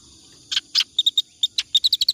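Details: Clamorous reed warbler singing for use as tutor song: after half a second of quiet, harsh rasping notes then sharper chips, speeding up toward the end.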